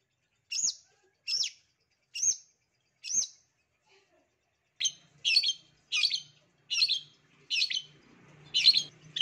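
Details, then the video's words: Long-tailed shrike master song for coaxing lazy shrikes into singing. Four evenly spaced high, piercing chirps, a brief pause, then a quicker run of denser, scratchier notes, with faint low noise near the end. "CENDET MALAS PUN AKAN NYAUT APALAGI MASTERAN CENDET PASTI BAKAL NARUNG DIJAMIN"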